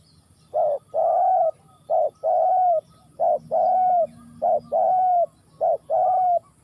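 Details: Spotted dove in Ninh Thuận, Vietnam, giving steady two-part coos, each a brief hoot then a drawn-out, slightly falling note, about five pairs in quick rhythm over quiet background.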